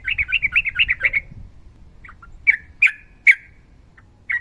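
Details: Sooty-headed bulbul in a long rolling song. A rapid string of bright chattering notes opens, followed by faint notes and three loud, sharp, widely spaced calls, ending with one more chirp.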